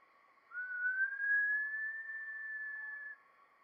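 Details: A Green-backed kingfisher (Actenoides monachus), endemic to Sulawesi, gives a single long, pure whistle, sliding slowly upward and then holding steady for over two seconds, over a faint constant background hum.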